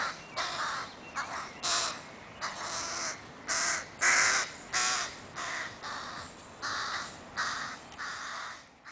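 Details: Crow chicks pestering their mother, Helsinki, Finland, 20 July 2011: a steady series of about thirteen coarse, buzzy begging caws over nine seconds, roughly one every two-thirds of a second, varying slightly in loudness.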